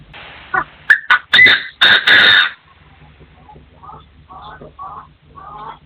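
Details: Partridge crowing: a few short rising notes, then loud, harsh, grating bursts repeated about twice a second, followed by fainter chirps from other birds against a low steady hum.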